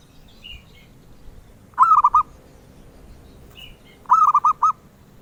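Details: Melodious song of a zebra dove, a bird prized by collectors: two short phrases of rapid, bubbling coo notes about two seconds apart, each a stuttering run of four or five mellow notes.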